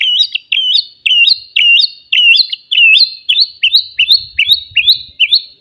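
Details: Loud song of a wild forest white-rumped shama used to provoke rivals: one twisting whistled phrase repeated about ten times in quick succession, roughly twice a second, with faint low knocks near the end.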